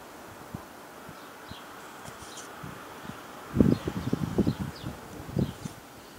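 White storks clatter their bills in a dry, rapid wooden rattle lasting about two seconds, after faint scattered clicks; soft bird chirps sound in the background.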